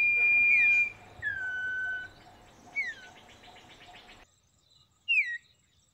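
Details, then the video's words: Common iora (Aegithina tiphia) giving clear whistled notes, some falling and some long and level, with a brief buzzy trill between them, over a faint background hum. "cipoh kacat, burung kebun bersuara merdu dengan gaya kicau yang indah"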